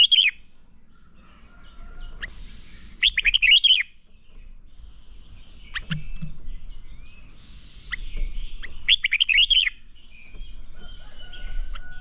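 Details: Red-whiskered bulbul, recorded to goad birds into fierce competition song, delivers two rapid, bright warbled phrases several seconds apart amid background hiss, low rumble, and scattered faint chirps and a thin whistle.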